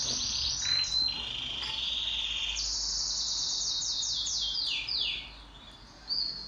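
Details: Pet canary singing in duet: a short whistle and high trill, followed by a run of rapid descending sweeping notes, then a quieter pause and a final brief phrase.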